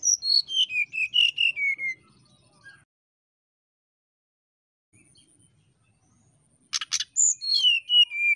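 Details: Brown-chested jungle flycatcher singing to provoke a rival: a descending series of clear whistled notes, a long silent pause, then a buzzy burst and another falling run of bright whistles.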